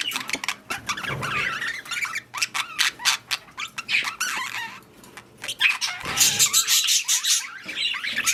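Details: During mating and breeding, parakeets keep up a dense mix of clicks, chirps and rasping calls, building to a louder harsh burst near the end.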